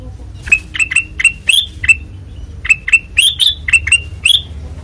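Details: Kutilang emas, white-eyed form, singing ngeplong: crisp whistled notes in steady sequence, each a quick rising sweep, arranged in two phrases separated by a brief pause.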